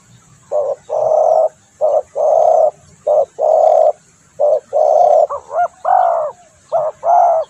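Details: Spotted dove call for luring birds: rhythmic low coos, each short note followed by a longer one, with a rising and falling variant in the middle of the series.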